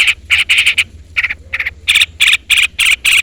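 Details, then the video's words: Long-tailed shrike calling a rival: harsh, buzzy, broadband notes in quick bursts, about three to four per second with a short gap mid-sequence, over a faint low hum. "pancingan cendet gacor full isian CUITAN MEMANGGIL LAWAN"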